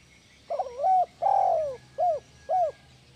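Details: Spotted dove, known locally as tekukur, calling to prompt reluctant caged doves to coo; a short broken opening note, a drawn-out husky coo, then two brief arched coos at an even pace.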